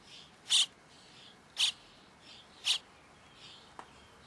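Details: Begging starling chicks at feeding time: three loud, scratchy hissing bursts about a second apart, then a faint tick, over a soft background hiss.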